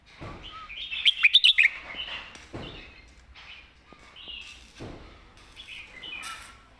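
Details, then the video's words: Red-whiskered bulbul kept as a competition bird, delivering a thick-voiced master song: a fast string of sharp ringing notes early on, then softer warbled phrases spaced through the clip, with faint background noise. "ใส่เต็มทุกดอก"แกนเสียงหนา เพลงแม่บท/นกแข่ง"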